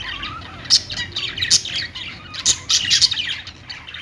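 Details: Rapid parakeet chirping, high bright notes and scratchy squawks spilling over each other in uneven bursts.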